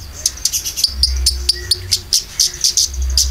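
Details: Konin lure song for caged birds, filler version: fast high twittering chirps in bursts with a brief whistled slur, low pulsing thump beneath.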